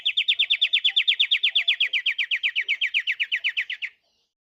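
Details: Pied triller, called jarakan or kapasan kemiri locally, singing vigorously: a steady, fast trill of about 28 sharp downslurred notes, roughly seven per second, lasting four seconds and easing slightly lower toward the end before stopping abruptly.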